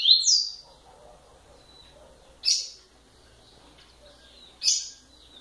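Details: A kept Rusty-collared seedeater, known locally as coleiro, from Bahia, gives three short, bright, high chirps spaced about two seconds apart, with quiet pauses between them and faint background hiss.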